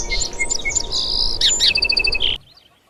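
Sparrows chirp in quick, high, overlapping notes, then a fast run of repeated chips that stops abruptly, over a low rumbling background.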